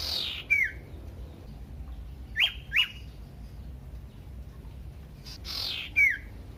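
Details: A common iora, played as a lure to set other ioras calling, gives sharp, high, downward-sliding notes, singly and in a quick pair a few seconds apart, with brief hissing squawks between them.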